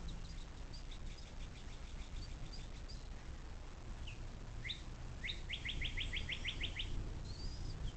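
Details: Bald eagle nest on the Little Miami River, southwest Ohio near South Lebanon, USA, filmed by a nest cam on 06.04.2024 at 17:23: faint high twittering, then a quick series of about eight piercing, evenly spaced piping notes, over low background rumble.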